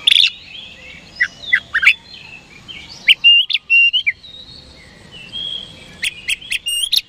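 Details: Oriental magpie-robin singing as a daily lure to provoke rival birds into answering; sharp whistled notes and quick slurred phrases come in bursts, with short pauses between the bursts and light background hiss.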